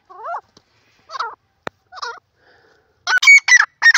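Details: Dakhni teetar, the grey francolin: several separated wavering notes with a sharp click between them, then a burst of louder, higher, strident ringing notes in quick succession.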